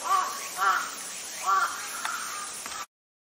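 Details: Captive Chilean flamingo (Phoenicopterus chilensis) at Yumemigasaki zoo park, Kawasaki, Kanagawa, Japan, giving three harsh, nasal, goose-like honks spaced irregularly over about two seconds, with faint background murmur.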